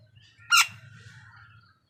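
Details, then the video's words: Crow in a food fight with other wild birds gives a single short, rasping caw, followed by a fading thin tone and faint twittering over a low steady hum. "কাকের ডাক Crow Sound"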